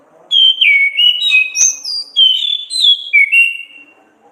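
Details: Orange-headed thrush song in ngeplong gacor ngriwik style, for training songbirds: bright whistled notes gliding up and down in a rapid string of short phrases, one sharp click midway, quiet steady background.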